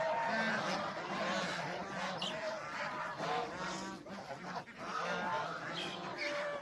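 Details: Farmyard domestic geese, goslings among them, give a rapid run of nasal, harmonic honks from several birds. The honks overlap and come at an uneven pace, with a short lull near the middle.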